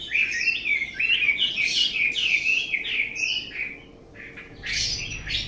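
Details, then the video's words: Chinese hwamei pouring out loud, quick whistled phrases with bouncing up-and-down slurs, breaking off briefly before a few harsher bursts. "Họa Mi cổ vũ u23 Việt Nam 2018"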